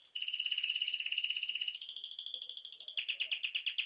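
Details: Brown-yellow ringed canary singing a long steady rolling trill, then a slightly higher trill, and finally a slower series of pulsed notes, in a quiet setting.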